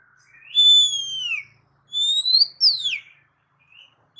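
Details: Oriental magpie-robin whistling to provoke other magpie-robins: a long clear whistle falling slightly at the end, then a rising whistle followed by a sharply descending slur.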